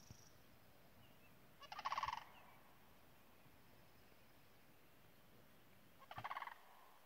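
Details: A distant sandhill crane during its courtship mating dance gives two loud, rolling, rattling bugles, each about half a second long and four seconds apart, with echo, over a low steady rumble.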